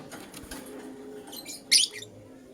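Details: Lutino lovebird in the morning giving one short, sharp, high chirp, a bright burst standing out over a steady low indoor hum with faint softer ticks before it.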